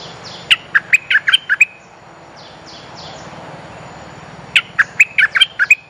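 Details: A bulbul lure call meant to attract females gives two bursts of about seven bright, bubbly chattering notes in quick succession, with faint thin downslurred whistles between them.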